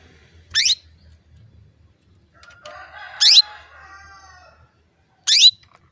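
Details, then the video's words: Female canary calling to stimulate males to sing: three sharp, very high notes sweeping steeply downward, about two and a half seconds apart, with a softer wavering, tonal sound between them. "PANCINGAN KENARI BETINA MEMANGGIL JANTAN"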